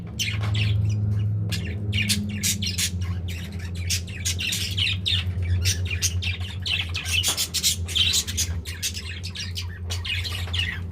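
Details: Several pet budgerigars feeding together and showing affection, chattering nonstop: rapid, buzzy chirps and squeaky notes packed closely for the whole stretch, over a constant low droning hum.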